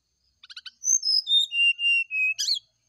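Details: Brown-chested jungle flycatcher, morning song played to draw a response: a few soft clicks, then a clean descending run of about six long whistles ending in a buzzy flourish.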